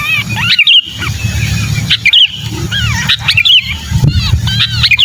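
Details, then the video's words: Harsh, wavering screeches from a sooty-headed bulbul in distress, a call used to lure bulbuls that will not come down. Piercing whistled notes come about every second, over a constant low background hum. "Suara pikat burung kutilang kejepit"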